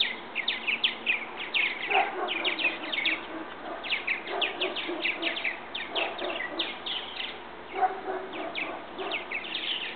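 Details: Fledgling purple martins leaving a bird house nest; almost continuous chatter of rough, down-slurred chirps from several birds, mixed with occasional deeper gurgled notes, under a faint steady hum.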